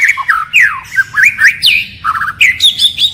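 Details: White-rumped shama in forest-voice song, changing voice continuously: quick sweeping whistles and chattering notes, a brief low burbling trill, then sharp rising whistles.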